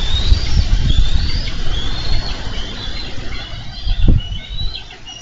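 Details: Bald eagle pair at a Minnesota nest, July 4, 2013, fighting over a carp the male brought in. A run of high, thin whistled squeals, some rising then dropping, rides above loud low buffeting and flapping noise.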